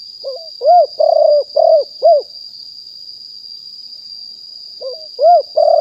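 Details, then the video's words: Wild spotted dove recorded live in 2021 as a decoy voice: low, mellow coo phrases, a short rising lead-in then four or five rounded hooting notes, repeated twice with pauses, over a steady high thin whine. "นกเขาใหญ่ป่าเต็ม100% บันทึกสดเสียงต่อนก2564"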